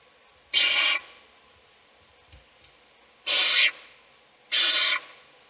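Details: Owl chick in a nest box, fed by an adult while the other chicks sleep; three harsh, hissing screech bursts, each about half a second, with irregular gaps over a quiet background.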